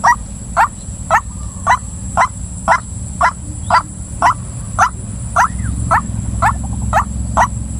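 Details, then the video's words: Female white-breasted waterhen repeating sharp, rasping calls nearly twice a second in a regular beat, with a few faint soft notes in between and an unbroken high-pitched electrical tone. "suara ruak ruak betina"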